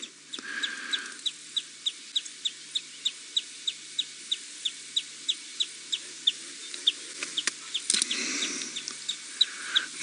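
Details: Common Greenshank alarm calling at the water after spotting a female leopard hunting, on an April afternoon game drive in a private game reserve: short high beeps repeated steadily about three times a second, with brief rustling and a burst of noise near the end.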